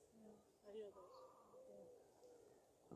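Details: Common wood pigeon (Columba palumbus) gives soft, low, hooting coos in short rhythmic phrases behind a man talking on a guided nature walk at Hengistbury Head, 26 April 2021.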